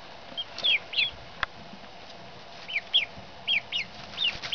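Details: Two newly arrived three-day-old female ducklings, one Blue Swedish and one Buff Orpington, shipped from a California hatchery, give high, thin downslurred peeps, singly and in quick pairs, separated by short pauses, over a low steady background hiss.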